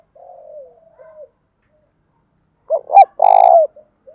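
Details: Low drawn notes from a decoy spotted dove, then its full coo phrase of two short hoots and a long steady coo, used to provoke wild doves to call; a brief high click sounds mid-phrase.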